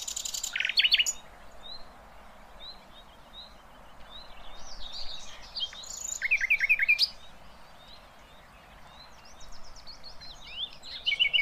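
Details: Sikatan londo flycatcher in 'tembakan kasar' rough style for training other birds: harsh opening burst, spaced thin whistles, then quick chip series and buzzy twittering phrases returning at intervals over light background noise.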